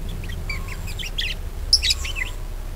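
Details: Budgerigar warble played to lure other birds into singing: soft twittering notes that rise into a louder, sharp, squeaky phrase with quick slurred chirps.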